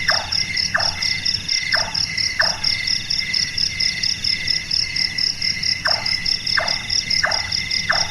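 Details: Caprimulgus macrurus calling at night, its notes said to resemble a woodworker hammering: two bursts of four evenly spaced chonk knocks separated by a pause of about three seconds, set in dense insect trilling.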